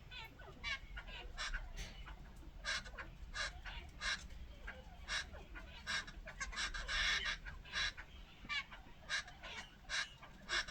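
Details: Jungle babbler, called ڈغائے in Pashto, said to warn other forest birds of danger with its voice; harsh, rasping chattering bursts repeated rapidly and irregularly over a low background rumble.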